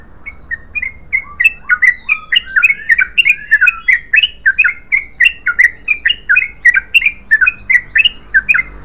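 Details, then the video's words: Yellow-vented bulbul giving its long continuous 'ropel panjang' song: rapid bubbly, slightly warbled notes, about three per second, without pause for nearly nine seconds, with a quiet low hum underneath. "BURUNG TRUCUKAN GACOR ROPEL PANJANG"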